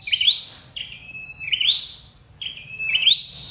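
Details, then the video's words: Red-headed flowerpecker calling, as used to lure birds for trapping: three high, sharp rising chirps, each sliding into a thin level whistle, spaced roughly 1.5 seconds apart. "Tiếng chim sâu đầu đỏ đi bẫy"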